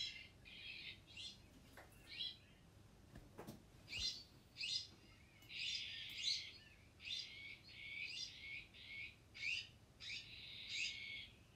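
Iberian magpies give harsh, rasping, high-pitched calls in quick bursts about once a second, with a few thin whistled notes mixed in.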